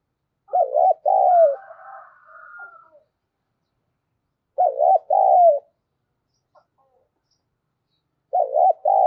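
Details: Decoy spotted dove urging on rivals with repeated cooing: three two-part coo phrases roughly four seconds apart, low and mellow, the first followed by a quieter trailing warble, in a quiet setting.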